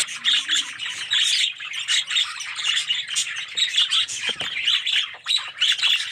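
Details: Aviary colony of red-eyed budgies producing a steady overlapping chatter of scratchy chirps and short twittering notes from many birds together, unbroken over several seconds.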